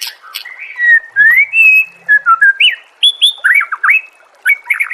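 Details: White-rumped shama master song used to make other shamas sing: long pure whistles sliding down and up, then short loud bright notes and upslurs, with short pauses between phrases.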